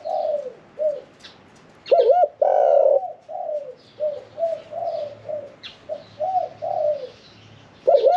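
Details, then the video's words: Spotted Dove, medium-voiced and caged 1 year 4 months, cooing in the 'khan yon 1 kuk' manner. Loud rolling coo phrases open and close the clip, with a string of soft repeated coos between. Scattered chirps from other birds are audible. "ฟังเสียงขันนกเขาใหญ่ { ขันโยน 1 กุก}"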